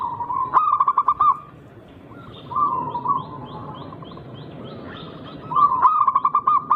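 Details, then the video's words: A wild local zebra dove with a distinctive rhythm, its song meant to provoke rivals: rapid staccato coo bursts at the start and end, a softer phrase between, and faint high chirps from other birds. "Burung Perkutut Lokal berirama Unik Langka gacor"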